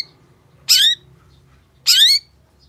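A long-tailed shrike gives two harsh, rasping squawks about a second apart, each lasting about a third of a second, over a faint low hum.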